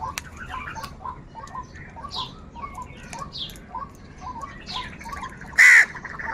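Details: Several crows calling angrily and without pause, short harsh notes repeated roughly every half second, with one sharp loud knock near the end.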